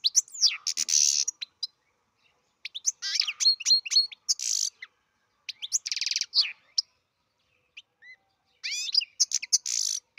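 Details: Captive-bred European goldfinch singing: bursts of high, tinkling twitters and buzzy trills, with liquid rising and falling notes, separated by short silences.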